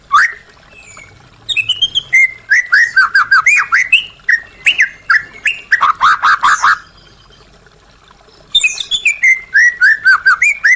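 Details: Lively white-rumped shama song to prompt caged shamas to sing again: repeated bursts of varied rich whistles and rapid slurred notes, with dense phrases separated by short pauses.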